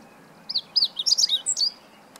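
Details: Meadow bunting singing, recorded 20 March 2015 in Japan, where it is called hoojiro: a quick phrase of about ten high, sweet chirps and slurred notes, rising then falling, over quiet background.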